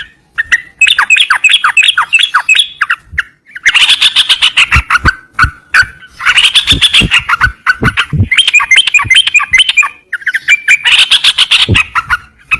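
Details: Yellow-vented bulbul singing loudly in bubbly, warbling phrases of rapid liquid notes, several bursts separated by short pauses, with sharp clicking sounds scattered through.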